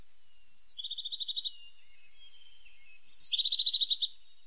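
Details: Two short, high rattling trills from a tit, each about one second long and made of roughly eight rapid pulses. The two trills are spaced about two and a half seconds apart over a quiet hiss.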